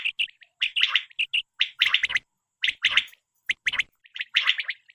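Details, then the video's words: Quail calling, apparently for hunting and netting, in KPK: fast three-syllable rasping phrases and single clipped notes, repeated more than once a second with short gaps. "بٹیر کے لیے صاف آواز،Batair k Awaz mp3 2023 l safe awaz mp3 batair l Quail Best sound"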